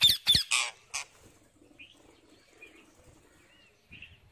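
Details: Wild parrot eating seeds, opening with a rapid run of four rasping squawks, then quiet with faint distant chirps.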